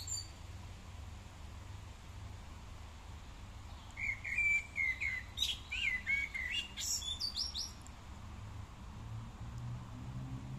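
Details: Common starling singing in a park in fine weather: after a quiet start, a rapid jumble of whistled slurs, clicks and scratchy chirps fills the middle seconds, then fades, with low traffic-like rumble beneath.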